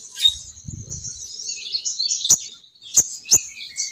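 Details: Female crimson sunbird call used as a lure to bring males down, a continuous thin, high twittering with a few sharp ticks near the end and a brief low rustle early on.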